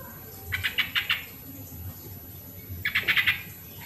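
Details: Sooty-headed bulbul singing a lure song meant to set silent bulbuls singing: two brief bursts of about five quick, bright bubbly notes, a couple of seconds apart, over quiet low rumble.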